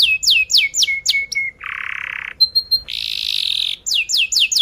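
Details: Canary singing tight rolls and chirps, a song for teaching young canaries: falling whistled notes, a low harsh buzzing phrase, short pure pips, a high buzzy roll, then more sharp descending whistles.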